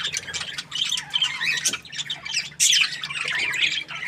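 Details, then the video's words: Cheerful pet budgies warbling in fast, buzzy chatter broken by short gaps, then a louder burst of squawking chirps that carries on to the end. "Happy budgie chirping sounds"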